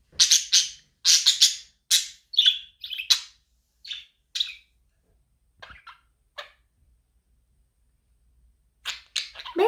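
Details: Budgerigar chirping to help a lonely budgie become active: bursts of short, buzzy, high chirps in quick clusters, then a quieter stretch with scattered notes before a final noisy flurry.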